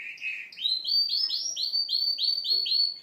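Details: Canary singing in the manner of a goldfinch: a low warble, then about ten loud, clear, rising high notes repeated quickly and evenly.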